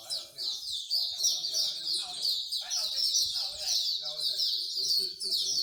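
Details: Many songbirds singing together at a bird singing corner in Singapore, giving steady, overlapping high-pitched warbles and quick chirps, with soft background chatter from people.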